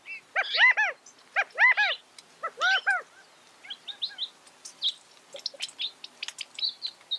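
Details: California quail giving loud arched, harmonic-rich call notes in short clusters during the first three seconds, followed by softer high chirps and faint twittering from other small birds.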